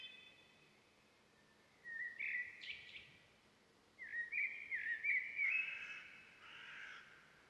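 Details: Blue-bearded bee-eater at Salem, South India, giving husky, buzzy call phrases that start low and rise, in two bursts separated by a quiet pause, on a calm background.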